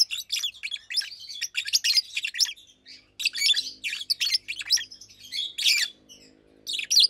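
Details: Two Fischer's lovebirds, blue with white head and pastel green, chirping during the day; nearly continuous shrill, grating twitter with loud squeaky bursts and a faint low hum in the background.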